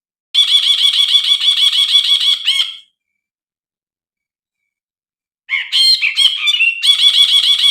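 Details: Brinji bulbul: a fast, scratchy run of repeated nasal notes that stops in a brief slur. After a long silence come varied squeaky, rising and falling notes, and then the rapid buzzy chatter starts again.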